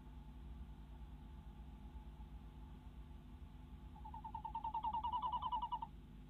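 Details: Nest-box tawny owl female in the Netherlands, night of 25 February 2016, male arriving with a mouse; low background hum, then a brief rapid trill of quavering notes near the end.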